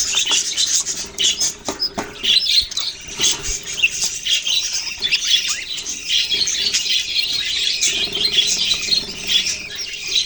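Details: Group of kept budgies, November 6, 2023, keeping up a harsh, squawky high chatter, with scattered clicks and rustles mixed into the continuous overlapping calls.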